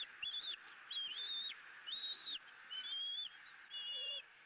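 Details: Southwest Florida eaglet E9 begging for food at the nest at dawn, 2 April 2017: five high, quavering whistled calls, each about half a second long, spaced roughly one second apart.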